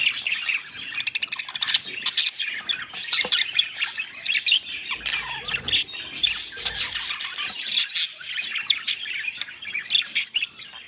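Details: Pet budgerigars during mating produce a restless stream of harsh squawks, rapid ticking rattles and high chirps, nearly unbroken for eleven seconds, with a few soft low bumps in the middle.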